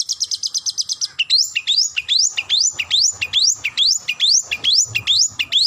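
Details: Long-tailed shrike calling to a rival: a quick string of bright clipped notes, then repeated sharply rising whistled sweeps, each starting with a brief click and climbing steeply, about two per second. No other sounds.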